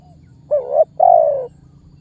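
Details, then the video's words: Spotted dove lure call meant to set other birds calling: a single phrase of a brief wavering coo followed by a longer, smooth, slowly falling coo, over a faint low hum. "SUARA BURUNG TEKUKUR MEMANGGIL DAN MENEKAN MEMBUAT BURUNG LAIN IKUTAN BUNYI"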